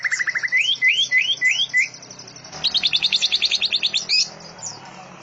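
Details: Greater green leafbird delivering canary-like song with cililin and lovebird-style rapid bursts: a quick trill, several rising slurred whistles, a pause, then a dense, rapid, high chattering run and a final upward note.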